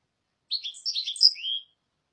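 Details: European goldfinch giving a short burst of bright, tinkling, twittering notes lasting about a second, with a slurred downward note at the end; quiet otherwise.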